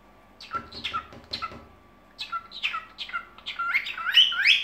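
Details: Evening singing by a cockatiel indoors: clipped descending chirps, a brief pause, then an accelerating, increasingly loud string of rising whistled notes, with faint hum behind.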